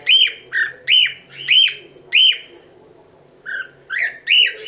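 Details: A happy cockatiel gives a run of bright, arched whistled notes, repeated roughly twice a second.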